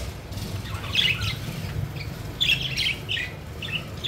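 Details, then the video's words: Budgerigars at play and in flight give bursts of scratchy chirps and warbled squawks in two clusters, over a low rumbling background noise. "Budgies Having Fun: Playful Birds Flying and Chirping Joyfully"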